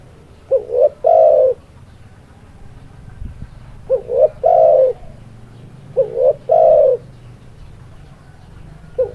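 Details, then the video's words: Spotted dove song with three to four repeated phrases, each a brief rising two-part note and a drawn-out falling coo, spaced about every 2.7 seconds; low hum and a faint tap underneath. "Suara Burung Tekukur"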